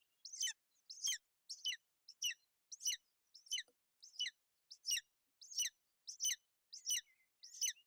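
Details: Golden eagle nest in Bucovina on 28 May 2021, where a female shelters her chick from inclement weather: high, sharp, downward-sliding chirps repeated steadily about every two-thirds of a second.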